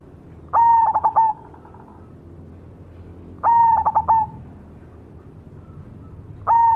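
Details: Cemani variety zebra dove singing steadily, giving a short rolling coo phrase about every three seconds: a clipped first note, then three or four fast bubbling pulses, with faint background hum.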